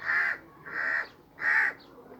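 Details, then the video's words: Three drawn-out, raspy caws from a crow perched on a sheep, the middle one softer, each lasting about a third of a second. "Crow Sitting on Sheep Back, Making Noise"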